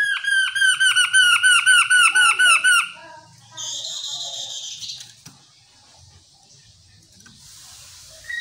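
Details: A chestnut-capped laughingthrush (Garrulax mitrastus) gives a fast run of about a dozen loud, rich, downslurred notes in three seconds, then fainter buzzy chatter and rustling follow.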